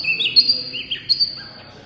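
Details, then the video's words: Small wambi white-eye in loud song: a thin, sustained high whistle laced with brief warbling and downward-slurred notes, all within under two seconds. "wambi mini gacor full suara kencang"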